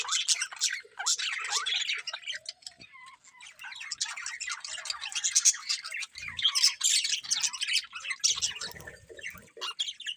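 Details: A group of budgerigars keeps up steady chatter: rapid high chirps, squeaks and buzzy warbles tumbling over one another throughout, with a few faint low knocks near the end.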